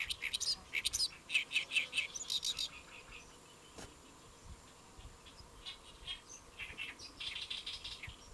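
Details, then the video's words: Great reed warbler on a lotus leaf, Saemangeum, Gimje, Republic of Korea, 1 July 2024 at noon; a loud burst of grating, chattering notes for about three seconds, then a pause and softer, fainter harsh phrases. "연잎에 앉아 우는 개개비 Great Reed Warbler Chirping on a Lotus Leaf"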